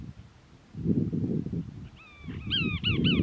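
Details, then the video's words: Cassin's Kingbird perched close on a castor bean shrub in Moro Canyon, California, 19 December 2021; after a drawn-out rising note comes a quick run of four loud, arched, burry notes, with gusty low rumble throughout. "Cassin's Kingbird Family Does Karaoke"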